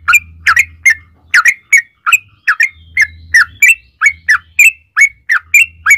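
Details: Yellow-vented bulbul song used as bait so other bulbuls answer. Separate sharp, bubbly chirps come about one every half second over an intermittent low hum.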